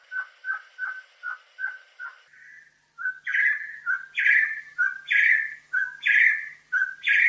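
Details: Bloodhead partridge of Bornean montane forest: six evenly spaced ringing notes, a brief pause, then louder, harsher ring-ying pairs repeated roughly once a second.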